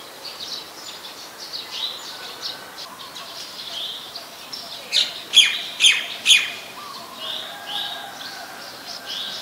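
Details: Ashy woodswallow, a very common resident, in Ubon Ratchathani, Thailand, on 14 December 2019, giving three loud, harsh, clipped notes about half a second apart over a steady background chatter of other high-pitched bird calls.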